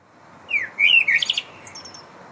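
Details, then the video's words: Common blackbird singing its evening song on a concrete high-rise, 11th floor: one mellow, fluted phrase that slides down and warbles, ending in a thin, high, scratchy twitter; quiet background. "Gesang der Amsel"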